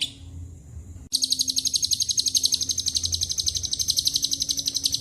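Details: Lovebird long ngekek with cililin and canary phrases: after a second of quieter high sound, a sudden burst into loud, rapid, evenly pulsed shrill chatter that continues to the end, with faint low hum.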